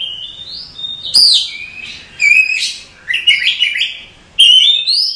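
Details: Night calling by a female Oriental magpie-robin to a male, a series of varied whistles and chattery phrases, some sweeping upward, delivered in bursts about a second apart.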